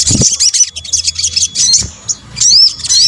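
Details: Rapid high chirping of a sunbird, called sogok ontong locally, then rising whistled notes near the end; a combined call used to lure birds.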